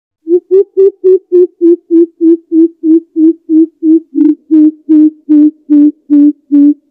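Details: A Greater Coucal (Centropus sinensis), a call used as a trapping lure, gives a long run of deep, hollow hoots, about three per second, sinking slightly in pitch.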